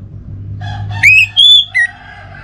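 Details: Three pure whistled notes from an orange-headed thrush, played as a lure for a kept bird: rising, then level, then falling, over a faint rooster crow and a low steady hum.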